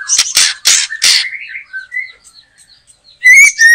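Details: White-rumped shama, trapped in a backyard, singing energetically: four harsh, rasping bursts, then soft slurred whistles trailing off, and finally a pair of bright ringing upslurred notes.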